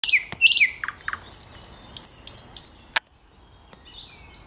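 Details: A thrush nightingale sings at Raszyn Ponds on 8 May 2022: a rapid, varied phrase of sharp clicks, high whistles and buzzy notes, with several pauses, against a quiet background.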